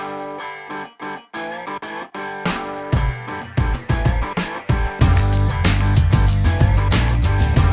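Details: Electric guitar music with plucked chords and a strong beat building in; no animal sounds.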